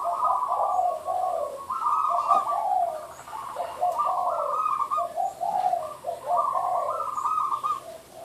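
A zebra dove gives soft, bubbly rolling coos in three run-together phrases, each rising then tumbling down, against a faint background hiss.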